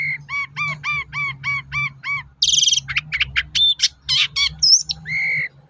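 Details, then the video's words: Long-tailed shrike lure song to make other shrikes respond: seven rounded, evenly repeated harmonic notes, then a harsh burst and a jumble of sharp chips, whistles and a drawn-out nasal note. "SUARA BURUNG PENTET GACOR AMPUH UNTUK PANCINGAN CENDET LAIN AGAR NYAUT"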